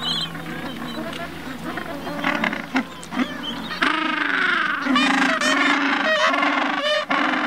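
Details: A chorus of Gentoo and Chinstrap penguins in the Antarctic Peninsula region gives harsh, braying honks that overlap and repeat quickly, louder in the second half, over a low steady rumble at the start.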